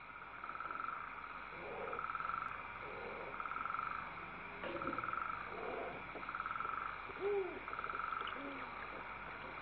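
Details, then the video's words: Owl chicks hiss as the mother feeds them on December 19, 2012, with the father hooting nearby; pulsed buzzy hisses repeat roughly every one and a half seconds, and lower short curved calls sound between them. "listen to them hiss and Pappa "hoo!""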